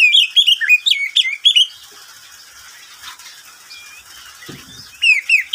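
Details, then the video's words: Caged oriental magpie-robin in midday song, used as a training and luring recording: a fast run of bright slurred whistled phrases, a long pause, then renewed high whistles with a brief low knock. "Suara burung Kacer di siang hari"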